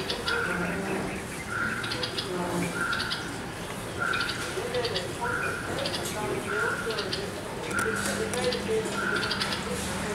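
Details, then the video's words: Red-vented bulbul parents guarding a 10-day-old fledgling on its first flight from the nest, after it lands on the ground: a sharp, buzzy note repeated roughly every 1.3 seconds, with low background murmur. "Parent Birds protecting 10 days Old Bulbul"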